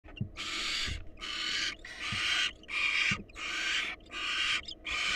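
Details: Wild barn owls at a monitored nest box: the male presents a mouse and the female feeds it to an eagerly devouring nestling. Harsh, broadband hissing screeches come in quick succession, about six bursts in five seconds, over faint low thumps.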